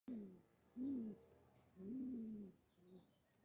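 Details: Black male Pomeranian fancy pigeons kept as pets, cooing: three low, drawn-out rolling coos of about half a second each, slightly rising then falling, followed by a fainter short coo, in a quiet setting.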